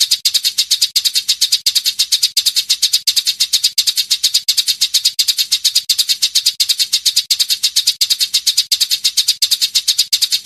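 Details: A dense, long-rolling, edited stream of Eurasian tree sparrow chirps, used as training material for songbirds, runs fast and evenly paced, bright and high-pitched, with no other sounds behind.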